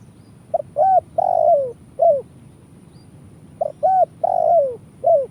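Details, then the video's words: Spotted dove (tekukur) recorded in Indonesia, a lure call for trapping in the kuk style: two full phrases, each a short note, a hooked coo, a long falling drawn coo and a final clipped coo, separated by quiet. "Suara Burung Tekukur kuk 1"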